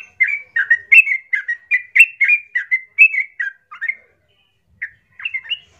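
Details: Loud, vigorous yellow-vented bulbul song used to goad other bulbuls: a steady chain of gurgling, slurred whistles, roughly two per second, trailing off into a few scattered notes after a brief gap.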